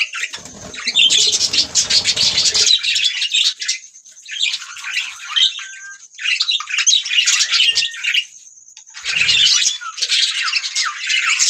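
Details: Pet budgies singing together: dense scratchy warbling chatter in bursts of several seconds with short quiet gaps, mixed squeaks and chirps, and a brief low rumble early on.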